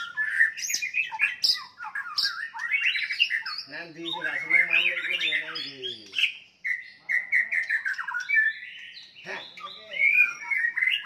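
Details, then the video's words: White-rumped shama fighting song meant to incite rivals: dense mix of harsh squawks, buzzy rattles and sharp whistles, with a grating nasal stretch midway and bright whistles toward the end. "murai batu tarung ampuh untuk menaikan emosi"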